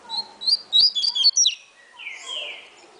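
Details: Double-collared seedeater from a breeder, singing in the atilharia style: a quick run of sharp, clipped whistled notes with abrupt pitch jumps, then softer, hoarse chirps from other birds in the background.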